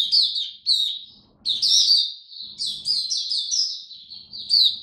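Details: In cold rainy weather, a hobby oriental white-eye sings choppy phrases of rapid high chirps and twittering slurs, several bursts separated by brief gaps, over a faint low hum.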